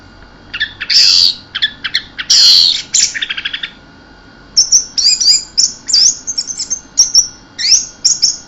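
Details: Energetic keserr song of an orange-headed thrush: harsh, scratchy bursts give way to a fast run of sharp, high whistled notes and upslurred phrases, all loud and close against a calm backdrop.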